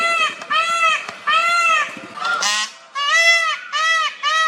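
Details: A male Indian peafowl at Wat Chaloem Phra Kiat Worawihan temple in Thailand gives loud, nasal, wailing calls in quick succession, each a drawn-out arching cry.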